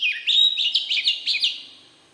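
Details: Short excerpt of Oriental magpie-robin forest-style song: quick repeated whistled notes bouncing up and down in a lively rhythm, about six pulses, fading out at the end.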